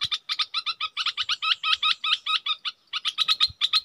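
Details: Red-whiskered bulbul kept as a decoy, calling in a steady run of clipped, buzzy two-part notes, about five per second, broken by one short gap before the chatter resumes.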